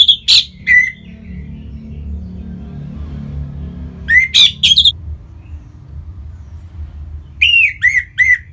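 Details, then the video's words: Orange-headed thrush, kept in Singaraja, Bali, sings to prompt other birds. Three loud bursts of sharp, slurred whistles and chirps, each about a second long and spaced a few seconds apart, over a quiet low background hum. "Punglor Merah Lagi Berkicau.. Untuk Pancingan Bunyi dan membuat Burung Jadi Singset Gacor dan Teler"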